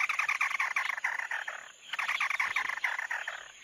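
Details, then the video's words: Mắt Đỏ bird song used as a lure recording: dense, fast chattering notes in quick bursts, briefly pausing near the middle before resuming, with a faint steady high whine behind. "Tiếng chim Mắt Đỏ"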